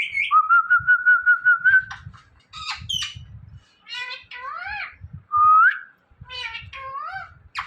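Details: Indian ringneck parrot, a talking pet bird, mimicking the word Mithu: a long steady whistled note with quick wavering pulses, then a run of short, harmonic, rising and falling speech-like syllables and squawky bursts, with faint low room noise.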